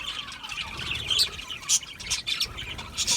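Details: Budgerigars chirping, giving overlapping scratchy chatter punctuated by a few sharp, high, whistled chirps rising above the group noise.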